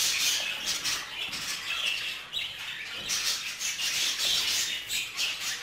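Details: A male budgerigar jealous over a female, among group-kept budgerigars: busy, high chirping and scratchy warbling from several birds, rising to louder clustered bursts at the start and the end.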